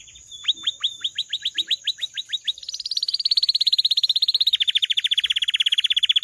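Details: Canary song opening with spaced downslurred whistles repeated several per second, followed by long, very rapid high trills that step slightly lower, with a faint steady high hum behind.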